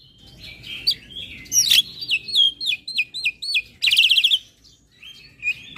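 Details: Jalak putih, black-winged starling, singing full 'ngeroll' with head-nodding to provoke other starlings: clear whistled downslurred notes repeated in a series, then a quick high trilling burst and a final whistle.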